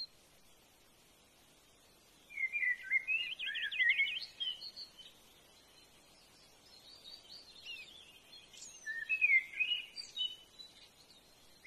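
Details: Brown-hooded kingfisher, filmed eating a big earthworm, gives two bursts of sharp, high, chattering trills a few seconds apart, with a quiet outdoor hiss in the background.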